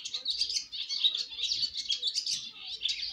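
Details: Fledgling swallows on their first flight out of the nest, giving a steady, crowded twitter of thin, high chirps with no pauses.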